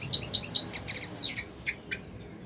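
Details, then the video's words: European goldfinch, captive, giving a brief run of sharp tinkling notes and quick twitters that fade into a few scattered chirps, faint hum underneath. "تغريد طائر الحسون الملكي 2021 / jilguero chant chardonneret"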